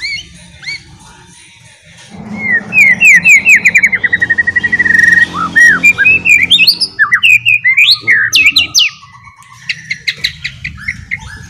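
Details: White-rumped shama in ngeriwik style as a lure song: a few scattered whistles, then a long rapid trill of rising notes, roughly two per second, breaking into varied high slurs and a buzzy chatter.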